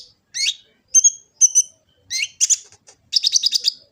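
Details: Kolibri ninja sunbird from Gresik, East Java, recorded by phone as lure song: paired high sharp notes, then a quick rattling trill at the end, bright and clean.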